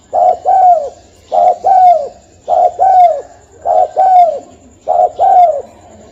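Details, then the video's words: Lure call of a spotted dove, used for trapping: five evenly spaced double-note coos, the second note longer and sliding downward, rich and hollow, in otherwise quiet surroundings. "Suara burung tekukur"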